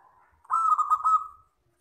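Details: A local wild zebra dove (Geopelia striata) gives one long, soft cooing song phrase of rapid, rolling pulses on a steady mid pitch, a faint lower coo just before it; used as a lure call.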